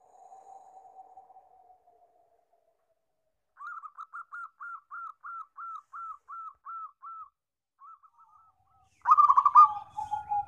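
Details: Zebra dove (perkutut lokal) song for therapy and training other birds: a soft low coo, then a rapid series of about fifteen short bubbling notes, and finally a loud rolling trilled coo fading into a sustained tone.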